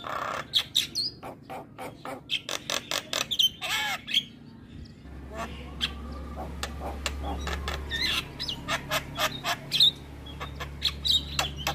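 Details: Javan myna in lively, filler-rich song used to provoke and tutor young mynas: rapid harsh clicks and sharp squeaky notes in quick bursts, short whistled slurs, a steady low hum through the middle.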